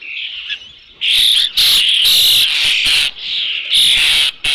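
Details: Osprey at the nest with a fish, Dunrovin Ranch, 3 June 2018, about 5 PM: loud, harsh, drawn-out high calls in long bursts, nearly continuous after the first second.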